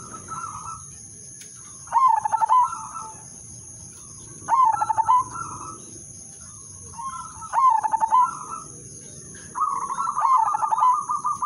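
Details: Lure song of a zebra dove (merbok), the udanmas silver bird, sung to prompt other zebra doves to join in: four clipped phrases of rapid pulsed coos followed by a soft trill, about every two and a half seconds, with a steady high whine behind.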